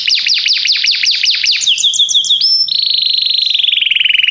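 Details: Song of a Belgian canary, opening with fast down-sweeping chirps that give way to a steady, rapid rolling trill slowly sliding lower in pitch.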